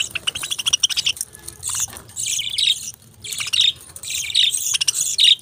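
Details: Budgerigar chirping: a fast run of ticking clicks gives way to bursts of high, scratchy warbling chatter, coming in several loud surges separated by short quieter gaps.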